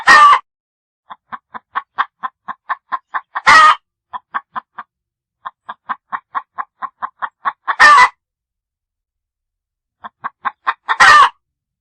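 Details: Long sequence of chicken clucking, bouts of quick even clucks separated by four loud, coarse bursts spaced a few seconds apart.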